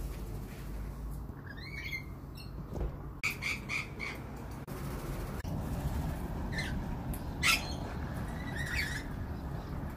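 A lorikeet gives shrill, screechy squawks in short bursts, some doubled, scattered over ten seconds above a steady low rumble of background noise.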